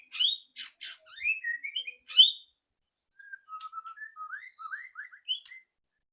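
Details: White-rumped shama's loud rattling song, used to coax another bird into singing quickly: harsh buzzy rattle bursts first, then a quieter string of short rising whistled notes.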